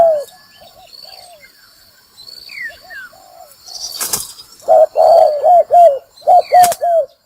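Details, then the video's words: Spotted dove call used to lure birds into traps; soft distant coos and brief sharp clicks early, then loud runs of quick cooing notes in the last two seconds, with a few high whistles. "Tiếng chim cu gáy mồi kích bổi đá lụp"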